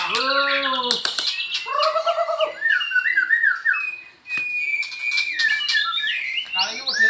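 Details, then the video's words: Afternoon session pairing a Balak 8 white-rumped shama with a Medan shama: rich descending whistles and looping phrases, a brief pause, then high thin notes and quick twittering runs. "coba nge CAS MB BALAK 8 dgn MB Medan di sore HARI"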